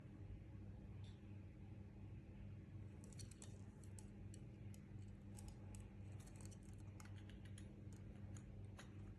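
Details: Low steady mechanical hum underlies scattered sharp ticking clicks, and no animal voice is present.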